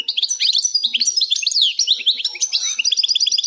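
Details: European goldfinch singing the Plak Mine song style without errors, a continuous dense run of high, fast twittering notes mixed with liquid slurred whistles and short buzzy trills, with no pauses.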